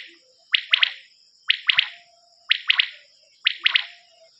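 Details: Common quail calling on a quail cassette: four clean, evenly spaced three-note phrases, each a quick sharp triplet about a second apart, over a faint steady high hiss.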